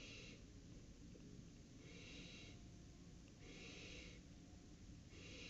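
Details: Barn owl nest at night, 23 July 2018, as an owlet makes its first flight; soft breathy hisses about half a second long, repeated roughly every second over a steady rushing background noise.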